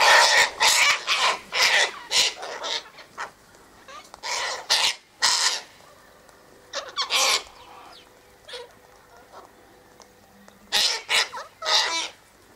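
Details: Sulphur-crested Cockatoos (Cacatua galerita) at an eastern gate, feeding on tossed-out sunflower seed, wheat and birdseed, give harsh, grating screeches in quick runs of several calls, broken by short quiet gaps.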